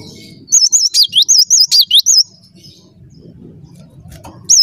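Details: Energetic song of a cinereous tit: around nine rapid, wavy high whistles strung together, a quiet pause with low background noise, then a new note at the very end.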